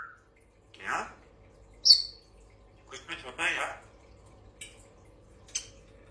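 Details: Grey parrot (Psittacus erithacus), talking.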